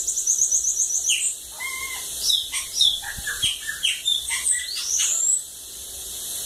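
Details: Sibite, 'cachorro loco' song from a water lagoon: opens with a rapid high trill, then a string of varied short whistled notes and upward sweeps, ending in a long rising slur.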